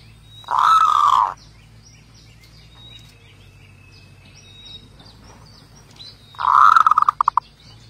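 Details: Zebra dove with two rolling cooing phrases about six seconds apart, the second breaking into quick staccato stutters at its end; faint high chirps of other birds between.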